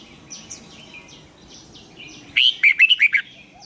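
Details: Red-whiskered bulbul used to train birds for singing contests, in the 'giọng xoắn' twisting style. Faint chirps from other birds come first, then a crisp run of six rapid, ringing whistled notes.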